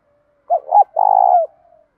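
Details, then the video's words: A spotted dove coos in a 'đồng' voice tinged with 'thổ', a recording meant to stimulate and train other doves: two clipped hoots lead into a long, rolling, pulsed coo that dips downward to finish. "cu gáy thúc dút cực chuẩn, giọng đồng pha tí thổ"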